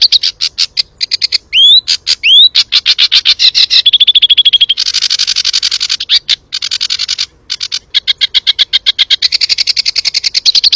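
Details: Tutor recording of sooty-headed bulbul 'tembakan' song: fast bursts of sharp chirps broken by two upswept whistles, a sustained high ringing note, and buzzy rattling stretches, with abrupt pauses between loud sections.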